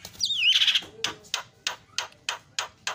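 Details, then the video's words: Asian pied starling singing a loud, varied song: a swooping whistled note runs into a buzzy trill, then harsh notes repeated about every third of a second. "SUPER BERISIK JALAK KEBO SUARA ISIAN"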